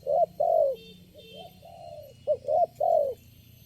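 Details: Wild spotted dove answering lure birds at a trapping site where only one bird was calling; deep hollow coos in a phrase of short clipped notes and longer drawn-out ones, with a faint higher twitter in the background.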